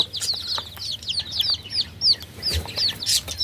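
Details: Baby chickens peeping: a dense stream of short, high, downslurred chirps overlapping each other, several birds calling at once with uneven rhythm and a faint low background hum.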